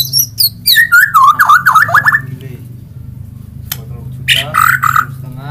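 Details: Singing magpie-robin giving a fast series of loud, warbling, up-and-down notes for two seconds, a pause, then another burst of rich, modulated notes. A constant low hum sits underneath.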